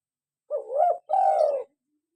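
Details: Local spotted dove, an eager caller, in a lure recording also used to get captive doves calling: one two-part coo, a brief upward-bending note followed by a longer, even, low hooting note.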